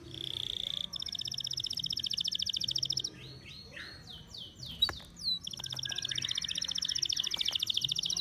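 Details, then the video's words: Canary in strong breeding condition (over birahi) singing: rapid buzzy high trills, then a varied run of rising and falling whistled slurs and clicks, then trilling resumes, with a faint low hum underneath. "bird song | canary over birahi like this"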